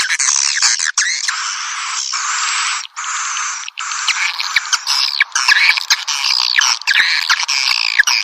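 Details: Swiftlet lure recording, piezo version: a dense wash of high, buzzy chirping for the first three seconds, then clearer separate swooping and chattering notes overlapping to the end.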